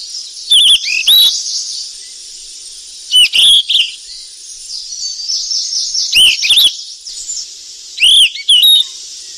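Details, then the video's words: Golden flycatcher in the wild while feeding its young, giving high, sweet, upslurred chirps in pairs and triplets every couple of seconds, each burst marked by sharp clicks, over a constant hiss. "BURUNG SIKATAN EMAS YG CANTIK DI ALAM LIAR LAGI LOLOH ANAKNYA PLUS SUARA MASTERAN"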